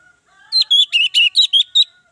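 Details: Orange-headed thrush song used as a lure to make other birds sing: a rapid phrase of about seven clear, warbled whistled notes, rising and falling, delivered in under two seconds.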